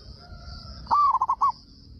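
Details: Loud-voiced local zebra dove from Indonesia giving a single song that draws replies from other doves: a rising cooed opening, then four short, clipped coos, over a constant high hum.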